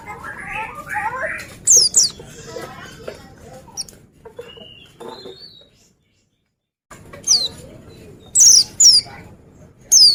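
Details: Oriental white-eye sharp, high falling whistles in pairs, with lower chattering and mixed background noise early on, a brief silent gap, then renewed whistles.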